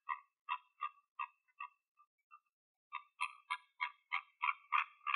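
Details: A pink flamingo foraging in the morning in Greece gives short, nasal, goose-like honks about three a second, first sparse, then a busier run of overlapping calls from several birds.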